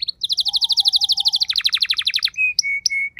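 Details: Pet canary kept at home, singing in reply to another bird: a rapid rolling trill of bright repeated notes, a faint low whistle beneath, ending in a few steady pure whistled tones.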